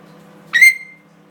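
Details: An 18-week-old pet African grey parrot, perched on its owner's shoulder, gives one short call: a harsh, rising squawk that levels into a clear, steady whistle. A faint indoor hum runs underneath.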